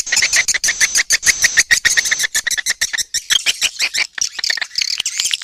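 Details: Lure call for attracting swiftlets, Raja Kalimantan style from Borneo: fast, uneven high chirping and twittering broken by sharp click-like pulses, repeated steadily throughout.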